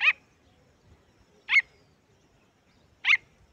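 A pheasant chick gives three sharp, high peeps, each brief and spaced about one and a half seconds apart, over faint low background rumble.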